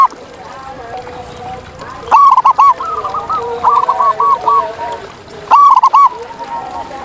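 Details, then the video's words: A wild zebra dove sings two strong phrases of rapid, stuttering coos about three and a half seconds apart. Quieter cooing birds sing in the background between them. "Masteran Kutut di Alam Ini Bikin Burung Kamu Kaya Bersuara Emas!"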